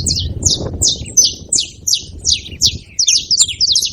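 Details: A group of saffron finches gathered at a feeding spot, chattering with bright, high, slurred chirps repeated nearly three times a second at an uneven pace, over a soft low background hum.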